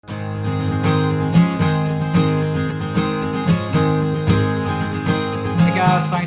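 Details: Country music with strummed acoustic guitar plays throughout, and no animal sounds are heard.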